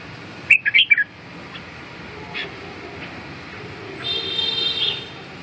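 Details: Red-whiskered bulbul singing. A quick burst of about four loud, clear whistled notes opens the clip. After a quiet stretch, a thinner, higher warbling phrase follows near the end, over a steady low background hiss.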